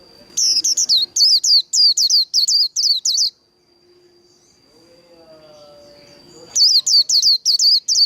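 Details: Japanese white-eye pouring out líu đấu fighting song: a long three-second string of sharp high falling whistles, a quiet pause with faint low sounds, then another fast burst.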